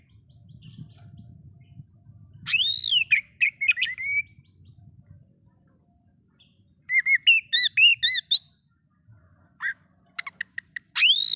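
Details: Oriental magpie-robin song meant to provoke other magpie-robins: arched whistled notes and short chips, then a fast run of repeated high downward-curving whistles, with faint low background rumble.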